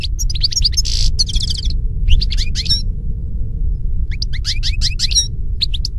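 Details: Goldfinch singing outdoors: lively liquid twitters and a harsh buzzy rattle early on, then more rapid chirping phrases, over low continuous rumbling noise.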